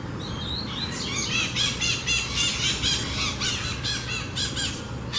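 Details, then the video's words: Double-collared seedeater in song, a run of quick, evenly repeated sharp high syllables, roughly four per second, over a low background hum. "Coleiro Braddock Cantando"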